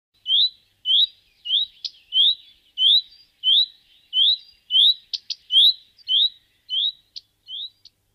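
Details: Common redstart call used as a decoy (lure) sound: a high, rising whistled 'hweet' about every half second, with a few sharp ticking notes between; nothing else is heard.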